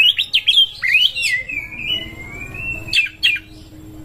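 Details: Oriental magpie-robin singing while seeking a rival to fight: sweet whistled notes sliding around a long drawn-out level whistle, then a few sharp chirps, indoors with faint low hum.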